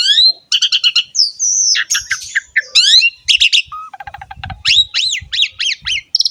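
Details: Asian pied starling singing a rich jumble of rising and falling whistles, harsh squawks and fast trilled pulses, ending in repeated arched notes; a song meant to prompt young males and females and other chattering birds to sing.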